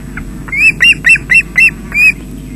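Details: At a Scottish osprey nest at Loch Garten, webcam, 20 June 2012 at 13:24, with fish brought for the chicks: six loud, piercing whistled calls, each rising then dropping, spaced about a quarter second apart.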